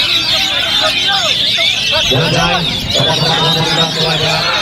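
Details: Oriental magpie-robins at a bird-song contest in Jogjakarta on 22 April 2018, two rivals accidentally hung side by side, pour out dense, high, rapid warbled phrases with sharp whistles, overlapping, while a man talks loudly through the second half.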